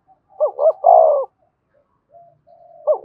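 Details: Spotted dove used as a decoy to stir up a freshly caught bird, giving one full phrase of two short rising notes and a long falling coo, then a soft buzz and the start of another phrase.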